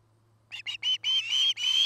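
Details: Osprey at the Charlo, Montana nest, nest-cam recording from 09-08-2018: three short whistled chirps that run into two longer, loud, slightly rising whistles, over a faint steady hum.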